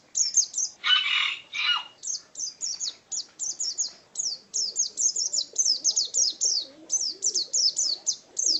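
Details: Champion pleci white-eye, a kept contest bird, 2017: sharp high chirps in quick clusters, interrupted near the start by a brief harsh rasping burst, then steady twittering resumes.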